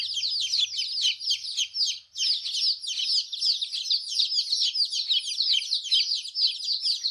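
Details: Chicks chirping nonstop, a thick mass of piercing short descending peeps from many birds, rhythm uneven, with a faint low hum at the very start.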